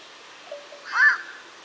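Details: Single harsh, croaking call of a black-crowned night heron, a bird of wetland areas, preceded by a faint softer note.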